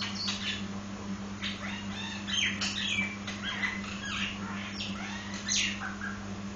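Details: Nias hill myna with a busy string of scratchy, varied squawks and chattering notes in uneven bursts, set against a steady low hum.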